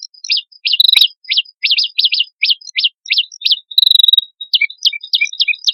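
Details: Vigorous song of a male and female red-headed prinia used as a lure; a steady series of sharp, high, rising chip notes, about three per second, with a brief held whistle near four seconds.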